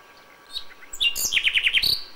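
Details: Brief nightingale song fragment at dawn in May: a few soft notes, then a rapid string of five loud, downward-sliding whistles ending in a higher sustained note.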